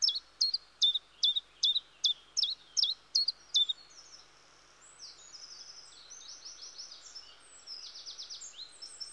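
A common chiffchaff sings about nine sharp, high, dropping notes, evenly spaced roughly twice a second. Fainter, thin high trills from other small birds follow.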